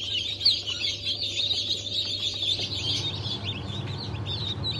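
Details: Newly hatched Cream Legbar, Sultan and Maran Couper chicks, hatched 15.03.2024, peep together in a dense chorus of high, short notes. A steady low hum runs underneath throughout.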